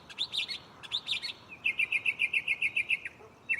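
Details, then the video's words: Mockingbird singing at night in a tree right next to the listener: two repeated squeaky chirp phrases, then a rapid, even train of about a dozen clear identical notes. "Shuffling bird chirping live on location"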